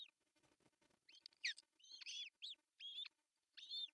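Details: Osprey at an artificial nest in Pohjois Satakunta, Finland, on June 10, 2024, as the male brings a big fish for breakfast. A soft rumble comes first, then a run of arched, high, piercing whistled calls, several in quick succession.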